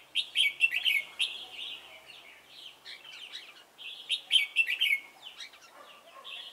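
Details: Red-whiskered bulbul used as a decoy for trapping at Chùa Hương, Vietnam, on 28 November 2017: bright whistled phrases around the upper range in quick bursts, with softer warbled notes between and a brief voice nearby.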